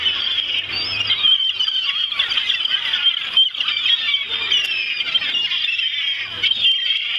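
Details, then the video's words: Greedy gulls at Ouistreham, a flock calling together in dense, overlapping squealing and squawking cries, harsh and high, with no pause, the chorus steady from start to end. "Ouestreham Seagulls"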